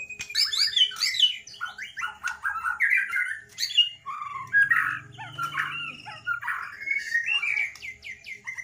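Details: Murai batu, the white-rumped shama, in full song with elaborate filler phrases and a bowing posture: rapid, varied chattering and warbling notes that tumble downward, continuous for several seconds, with a brief low hum partway through.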